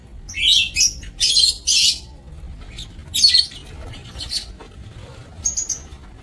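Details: Aviary lovebirds on 27 March 2024 producing harsh, grating squawks and shrill chirps in clusters, loudest in the first two seconds, fading to scattered high squeaks later.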